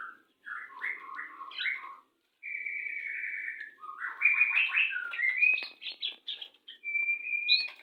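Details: Shama courtship before mating, bird from a breeding setup: warbled notes at first, a sustained buzzy trill, then dense mixed phrases with clicks, closing on a level whistled tone.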